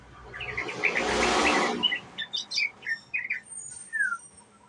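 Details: Young sooty-headed bulbul giving a ngriwik chattering song used as a lure: quick run of short chirpy notes, then scattered bright, slurred notes, several sharp and high, after a loud rushing noise at the start.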